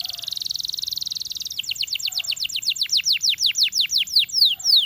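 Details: Canary song beginning with a fast buzzing roll, then a long series of loud downslurred whistled notes repeated about four per second.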